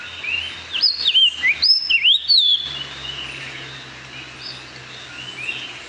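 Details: Puerto Rican Oriole, endemic to Puerto Rico and found in the San Juan Bay Estuary, sings its melodic song, given mornings and afternoons: a two-second phrase of clear, looping, rising and falling whistles, then fainter distant bird notes.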